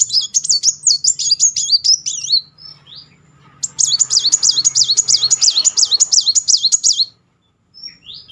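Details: High, fast, regularly waving trills from a Brown-throated Sunbird singing nonstop, played to coax a silent bird into song; one phrase of two seconds, a pause, then a long run of about three and a half seconds.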